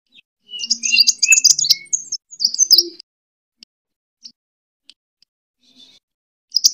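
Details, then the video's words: Sunbird fighting song, kolibri tarung, a lure for training birds: a two-second flurry of high squeaky twitters and short whistles, then mostly quiet with isolated faint ticks and one last sharp chirp. "Suara: -*BuRunG*- [Pancingan] ( KOLIBRI TARUNG ) BUAT MASTER"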